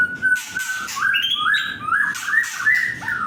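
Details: Agitated young white-rumped shama opening with a steady high whistled note, then a series of short rising and falling whistled slurs delivered in quick succession, interspersed with brief buzzy rasps.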